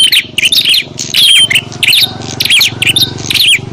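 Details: Bar-winged prinias fighting noisily, recorded as a lure for wild prinias: rapid, harsh chattering bursts of high chirps with swooping notes, over a steady low mechanical drone.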